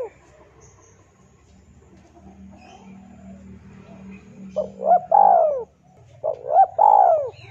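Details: Male spotted dove calling a rival, used as a lure: after a few seconds of low hum, two loud cooing phrases, each a pair of short rising notes followed by a long, drawn, falling coo.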